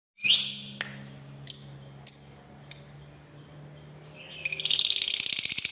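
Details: Lovebird of the fighter type, voice known in Indonesia as ngekek panjang: a few sharp high chirps spaced about half a second apart, a quiet pause, then a dense buzzy rapid trill beginning near the end, with a faint low hum underneath.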